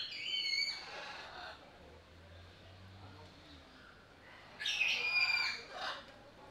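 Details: Captive sulphur-crested cockatoo at Belgrade Zoo, Serbia, August 2022, Panasonic AG-CX350: one grating, noisy squawk, a long quiet gap with low hum, then a second rough, rasping burst of screeching.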